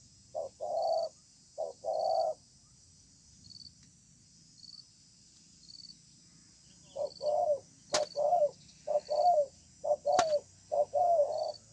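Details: Wild spotted dove, very persistent, calling in a contest beneath a communal house, in a spaced 'bài thưa' song style: low hoarse coos, each a short note then a longer one, in bursts with pauses. A steady high insect drone and faint high whistles run throughout.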